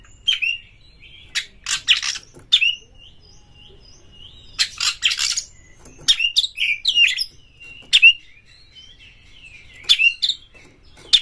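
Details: Lure song of an Oriental magpie-robin used to raise other birds' excitement: harsh grating bursts alternating with short down-slurred whistles, repeated irregularly every second or two, with a faint steady high tone beneath.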